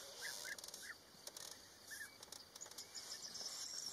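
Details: European bee-eaters courting and nesting in early May at Rusenski Lom, a small colony crowding along a wall; a few soft rolling calls in bursts early on, with scattered rustling and high hiss behind.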